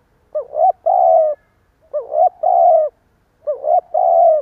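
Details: Three evenly spaced stuttering coos from a decoy spotted dove used to lure wild doves. Each has a looping rising note, a short stop, then a long sustained coo, repeated roughly every one and a half seconds.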